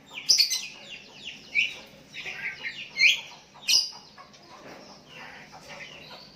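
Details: Sooty-headed bulbul calling a rival as other bulbuls answer; a series of sharp bright chirps roughly every second, fading into softer notes.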